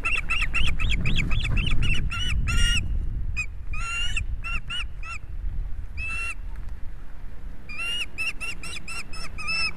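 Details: Ospreys at a nest in Estonia on 11 July 2017 at 16:27, young soaked and a huge fish delivered, filmed by a live nest camera: fast series of sharp, ringing whistled chirps over steady low rumbling noise.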